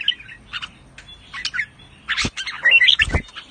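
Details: Pa La-u line red-whiskered bulbul kept in a cage, singing and chattering: short scattered whistled notes mixed with sharp clicks and knocks, ending in a tight cluster of bright chirps.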